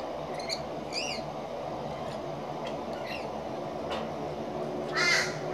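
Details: Rainbow lorikeets feeding in the late afternoon: a handful of short, harsh, raspy screeches with layered overtones, scattered across a few seconds over steady background noise, the loudest near the end.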